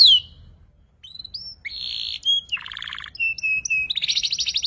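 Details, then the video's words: Juvenile canary practising ngeriwik: a sharp falling note, a pause, then a halting series of short whistled notes, buzzy bursts and a low rattled trill, ending in a rapid high roll. "PANCINGAN KENARI PAUD BELAJAR NGERIWIK"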